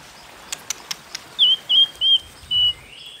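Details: White-rumped shama singing its challenge song in the 'kéo thuốc lào' manner: a few faint ticks, then four clear, level whistled notes spaced about a third of a second apart.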